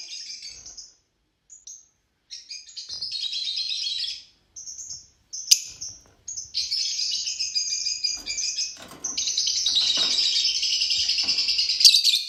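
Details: Group of Fischer's lovebirds twittering in shrill, high-pitched chatter, starting with short scattered chirps and pauses, then building into a long, unbroken stream of squeaky warbling and sharp notes.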